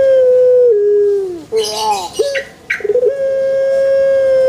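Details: Pelung chicken crow with a long steady note sliding down at its close. Noisy rustling and a choppy, pulsing restart follow, then another level, sustained crow note begins.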